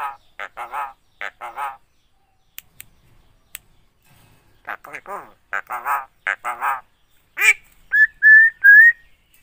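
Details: Talking Javan myna known for copying a spoken greeting, coughs and 'halo cewek': bursts of rapid nasal, speech-like syllables, a quiet gap, more dense chatter, then three steady whistled notes held at an even pitch to close.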